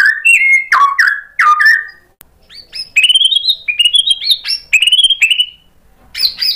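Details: White-rumped shama singing after being provoked, displaying mimicry material: three loud, downward-sweeping whistles, then a fast string of buzzy, rising chirps and chattering notes before falling quiet.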